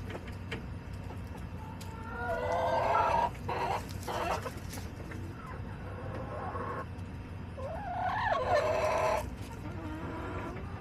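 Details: Backyard chickens on July 18, 2024, a flock of hens clucking: drawn-out harmonic squawks and rising cackles around two and eight seconds, with short clucks between and steady low background hum.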